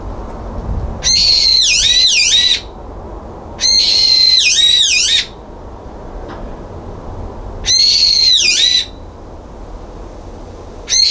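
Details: Barred from a balcony feeder on 9 February 2022, a brown-eared bulbul screams three times, each loud, strained, high shriek lasting over a second and wavering downward near its end, repeated roughly every three seconds.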